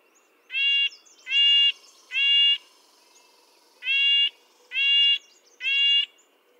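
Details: Red-breasted nuthatch giving six nasal, tin-trumpet-like calls, each a harmonic stack about half a second long, in two groups of three. The calls come roughly once a second against a quiet background with faint high chatter.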